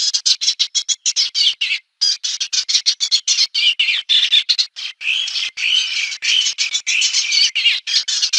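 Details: Eastern olivaceous warbler singing a warbly, catchy song: a continuous stream of rapid, scratchy, high chattering notes in steady rhythmic bursts, with one brief pause near the two-second mark. No other sounds stand out.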